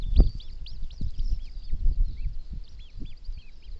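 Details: South Island pied oystercatcher, threatened, nesting in a braided river in the central South Island: many short downslurred piping notes, some overlapping, with low thumping and handling noise underneath.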